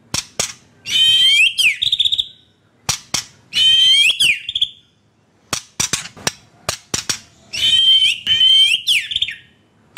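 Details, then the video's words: Lure song of a white-rumped shama, played as therapy for caged birds gone quiet: three long harsh, buzzy phrases with a thin whistle inside, interspersed with crisp snapping clicks and brief pauses. "Pancingan Murai Batu - Terapi Murai Batu macet"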